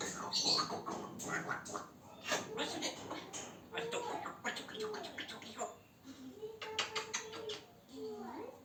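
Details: A male African grey parrot chatting to himself in speech-like babble, with clicks, short whistles and a few tonal, rising and falling notes toward the end.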